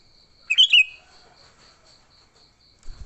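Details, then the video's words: One brisk burst of bubbly, slurred chirps from a sooty-headed bulbul's fighting song, a lure with no other species mixed in, then a pulsing high insect-like drone and a soft thud at the end. "Suara Burung Kutilang Gacor TARUNG Tanpa isian, Ampuh untuk pikat Kutilang jadikan Kutilang ribut."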